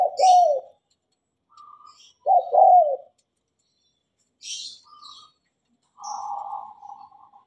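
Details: Tame spotted dove singing: two low, rough coos a couple of seconds apart, with faint higher chirps from other birds and a softer murmured coo near the end.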